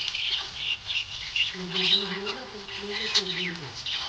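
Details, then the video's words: Happy budgerigar giving rapid, scratchy high chirps and short squeaky notes throughout, with a steady low humming voice-like tone running underneath in the second half. "Happy budgie chirping sound"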